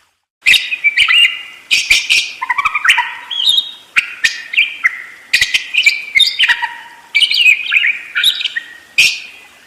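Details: Budgerigar rolling song, a steady stream of rapid chirps, clicks and short downward-sliding whistles repeated over and over without long pauses.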